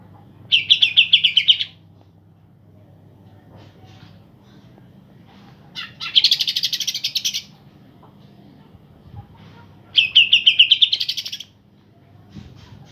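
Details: Pair of green leafbirds in energetic song, used to provoke birds that have stopped singing: three separate bursts of dense, buzzy, pulsed trilling, each roughly one to one and a half seconds long, separated by pauses of several seconds.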